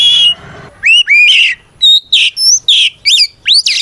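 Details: An Oriental magpie-robin delivers a provoking fight song aimed at rival birds: a string of clear, upslurred whistles and sharp chirps, about seven distinct notes with short gaps between them.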